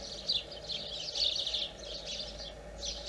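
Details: European greenfinch song: a dense, continuous run of quick twittering trills and chirping notes, fairly loud, with a steady low background hum beneath.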